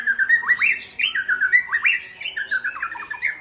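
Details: Powerful song of a white-rumped shama (murai Aceh): loud rich whistled phrases with sharp upward sweeps, repeated in bouncing notes about every quarter second, full and continuous throughout.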